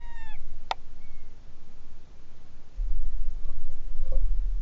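A buzzard gives a single mewing, downslurred whistle at the start, followed by a sharp click and faint whistles over steady low wind rumble.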